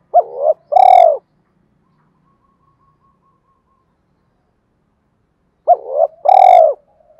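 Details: Spotted dove in the thổ voice style, mixing a fight-provoking challenge call with a calling song. A quick hooked coo is followed by a loud, rough, drawn-out coo. The pair of phrases comes twice, about five seconds apart, with silence between.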